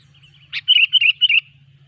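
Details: Sooty-headed bulbul song played to lure bulbuls for trapping: a sharp click, then a loud run of four quick, bubbly, slurred whistled notes, with a steady low hum beneath.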